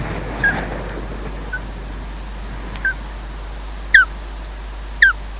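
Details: Osprey pair changing over at their nest, Loch Garten, Scotland, caught on a wildlife camera: soft short whistles building to two loud falling chirps a second apart, with low rustling and hum.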